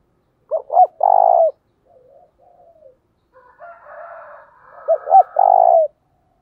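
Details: Spotted dove giving its coo twice, a decoy recording meant to make wild doves call in reply. Each phrase has two brief hoots, then a long low coo, with faint wavering calls between them.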